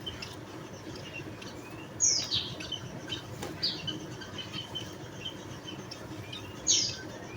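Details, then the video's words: Javan munia (Lonchura leucogastroides) giving a few thin, high chirps, spaced irregularly, loudest near the start and end, over a soft background hiss. "Burung Emprit Bondol Jawa atau Lonchura leucogastroides"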